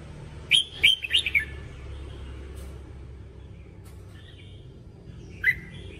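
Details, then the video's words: Red-whiskered bulbul voice-training song: a quick burst of four bright, warbled whistled notes near the start, then quiet low hum and one more sharp note near the end. "Luyện giọng chào mào"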